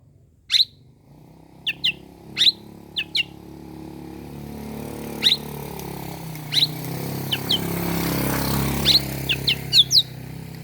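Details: Morning oriental magpie-robin, used to stir up rival birds, giving scattered sharp, high clipped notes in pairs and singles while a rising vehicle engine rumble fills the background.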